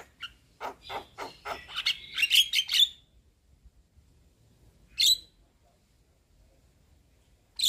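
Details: A white-eyed Javan myna chatters to lure a silent myna. A rapid series of dry clicks builds into a harsh, squealing burst, then single sharp squawks after a long quiet gap.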